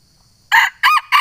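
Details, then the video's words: Sumatran junglefowl calling out a rival, a sound used for luring wild junglefowl. Three loud, raspy bursts come in quick succession, the second arched and rising then falling, over a quiet background. "suara ayam hutan manggil lawan cocok untuk mikat ayam hutan"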